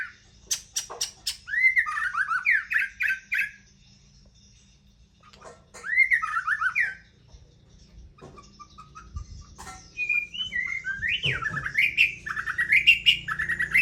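White-rumped shama singing rich, varied phrases of fluty whistles and harsh chattering notes, in bursts separated by short pauses.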